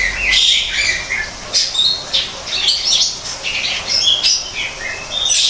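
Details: In an artificial forest aviary, a greater green leafbird delivers scratchy, squawky phrases mixed with clear whistles and high twitters, in uneven bursts with little pause.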